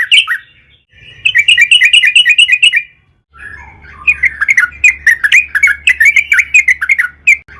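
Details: Sooty-headed bulbul song played as a lure to prompt other bulbuls to sing. Bursts of quick, bubbly, chattering notes come in a short series, then a pause, then a longer run of chirpy warbling.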